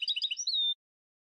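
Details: Short burst of Sfax-style song from a Tunisian European goldfinch, meant for tutoring: about six quick liquid chirps followed by a steady, drawn-out nasal tone.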